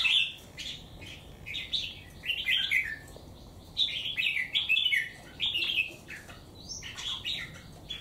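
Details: Caged wild-caught songbird, three months in captivity, with one white hind claw, singing in full against a strong rival; lively, repeated runs of clear warbling phrases separated by short pauses, with faint room noise.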